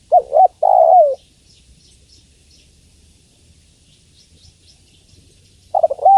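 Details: Female spotted dove calling the male: a double coo and a long falling note at the start, another phrase at the end, with faint high chirps of small birds in the quiet gap.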